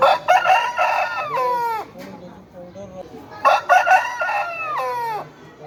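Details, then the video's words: Aseel roosters crowing: two loud strained crows, each with choppy pulses falling into a drawn-out descending tail, overlapping with a noisy background. "Asil Rooster Sound Effect/Aseel Roosters Crowing-Compilatiol/ Aseel Murge ki awaaz"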